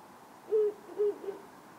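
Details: Ural owl calling at night in town, one of a pair travelling between wires and antennas: three deep hoots, two even, level notes followed by a shorter, softer third, against a quiet background.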